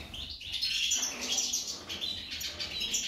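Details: Female goldfinch giving a brief, unbroken stream of bright, high chattering twitters over a low background hum.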